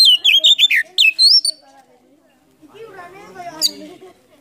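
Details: Kacer, the Oriental magpie-robin, in full mimicking song with tail opened, meant to rouse silent birds: quick bright whistled notes sliding downward, then a low murmuring, wavering passage with a sharp note near the end.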